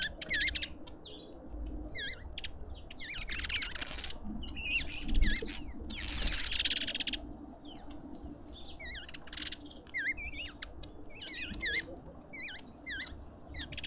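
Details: Lovebirds at a garden feeder in suburban Pretoria, South Africa. Shrill, squeaky chirps that waver up and down, several birds overlapping, broken by harsh rasping screech bursts. A low background rumble runs throughout.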